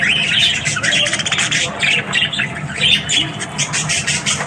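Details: Morning budgie chatter of short squeaky warbled phrases, about one burst per second, mixed with ticking notes and a low background hum.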